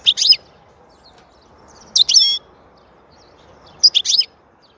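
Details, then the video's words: Song of a European goldfinch, known in Turkish as saka, with three short, bright, slurred twitter phrases spaced about two seconds apart, each a high jangling burst. "Huzur verici saka sesi mūkemel"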